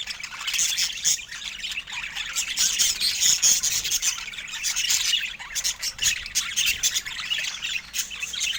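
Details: Many budgerigars twitter at once, producing fast high chirps, whistled warbles and scratchy squawks that form a lively, uninterrupted background chatter.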